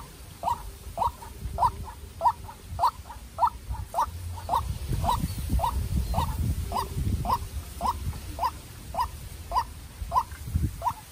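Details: Captive-raised young White-breasted waterhen as a decoy in a tense bout with a wild bird. A quick, steady series of short notes continues over rustling and low rumbling.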